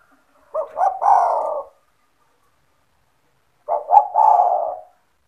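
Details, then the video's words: Spotted dove, a kept bird singing freely to draw other doves into calling, gives two phrases several seconds apart, each of two or three quick clipped notes running into a longer mellow falling coo, with silence between. "SEMUA TEKUKUR / DERKUKU AKAN TERPIKAT DENGAN SUARA TEKUKUR GACOR INI"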